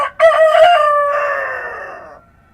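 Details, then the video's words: Real rooster at dawn amid countryside ambience gives a single loud crow: a brief stuttering start, then a drawn-out, slightly descending, richly harmonic note lasting about two seconds before trailing off. "Rooster Crowing at Dawn"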